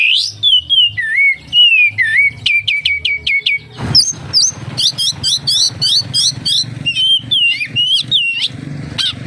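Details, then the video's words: Oriental magpie-robin song packed with mimicked phrases: slurred whistles dipping and rising, then a run of rapid sharp notes, followed by fast high ticking bursts over a low background hum. "SUARA BURUNG KACER, FULL ISIAN KAPASTEMBAK"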